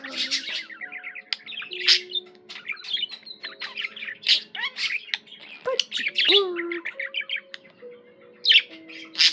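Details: Pet budgerigar singing: a dense, fast warble of buzzy chirps, clicks and short squawks, with trilled runs and a few rising whistles, over soft, steady sustained musical tones in the background.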